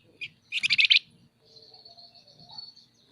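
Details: Scaly-breasted munia (flamboyan) in lively nyerecet chatter: a short high buzzy rattle of rapid pulses lasting under half a second, followed by thin faint whistled tones.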